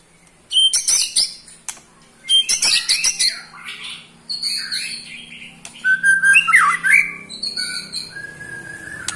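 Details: Pastol white-rumped shama, eight months old, giving ketrekan that angers other shamas: rapid harsh rattles and clicks in bursts, then a loud swooping whistled phrase.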